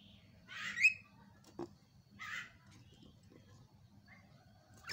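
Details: Javan myna lure call for provoking other mynas into chattering: two harsh, grating squawks about a second and a half apart, then softer short notes, over a low humming background.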